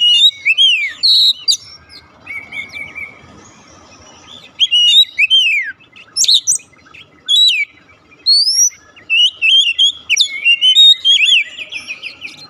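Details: Lure song of an Oriental magpie-robin, meant to set a quiet kacer singing: varied loud whistles, steep rising and falling sweeps and chattering phrases in repeated bursts, with a soft hiss between phrases.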